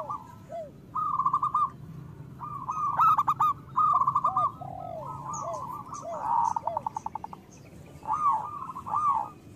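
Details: Local zebra doves calling to encourage idle doves to sing: spaced groups of trilled coos, low dipping notes, and a few loud staccato bursts from several birds.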